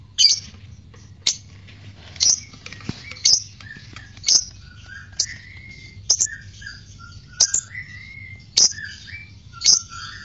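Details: Fighter lovebird heard on a lure recording meant to provoke arousal and ngekek singing: sharp, high chirps roughly once a second, with soft whistled notes between them and a low steady hum underneath.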